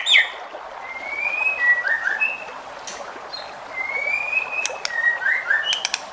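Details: White-rumped shama song played to provoke other shamas to sing: long clear whistled notes near two kilohertz, some rising or falling, in two phrases with pauses, over a faint hissing background.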